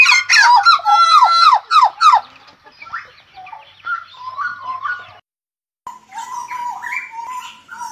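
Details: Energetic Hooded butcherbird song opening with a loud burst of squeaky, downward-sweeping notes, then softer warbled phrases, a brief silent gap, and a return to fluty whistled notes with slurred rises.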